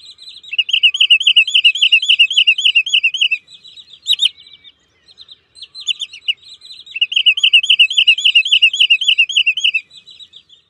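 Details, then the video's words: Wood sandpiper giving two bursts of quick, high whistled notes, about three or four a second, each burst around three seconds with a short pause between; described as a new call of the species, sandgrouse season 2023. "صوت جديد لطيطوي الغيط (زنزوني) Wood Sandpiper's New Sound"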